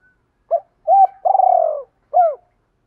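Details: One phrase of spotted dove cooing in the 'giọng thổ' voice: a brief note, a looping coo, a long throbbing purr sliding lower, and a final curved coo. Another phrase just begins at the end.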